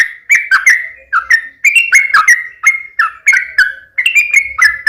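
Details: Sooty-headed bulbul singing energetically, its mellow whistled two-part phrases following one another closely in a continuous, bubbling series.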